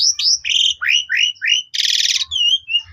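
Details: Young Asian pied starlings sing to train other starlings: a run of rising slurred whistles, a harsh rasping burst, then thin drawn-out whistles and a final rasp.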